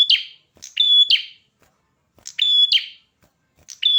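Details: Prinia in full voice: two complete phrases plus fragments in four seconds, loud buzzy notes leading into a clean sustained high whistle and a harsh trailing rasp.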